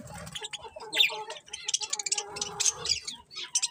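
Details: Budgies in bright colours giving continuous high twittering chatter, rapid tweets and clicks tumbling over one another, with a faint lower hum beneath.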